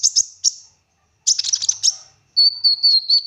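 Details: A singing olive-backed sunbird, offered as a lure to prompt other sunbirds into song. Two high chips give way to a dense buzzy rattle. The bird then sends out a run of thin, steady whistled notes, about four per second.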